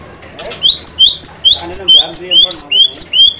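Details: White-rumped shama uttering a steady series of short, high, sharply upswept chirps, about two per second, each note crisp and similar to the last.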